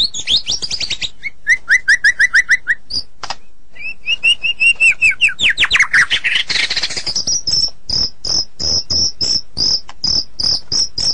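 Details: White-rumped shama song used as training material for cage birds: rapid varied phrases, fast rising whistled trills, buzzy chattering runs, then a long series of sharp high repeated notes, continuous and loud.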